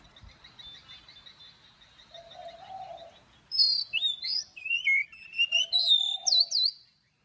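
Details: Oriental magpie-robin morning song in the forest-voice style with long notes, played for training birds to sing. A quiet start gives way to a loud run of varied high whistles and slurred notes, with a dove cooing low behind.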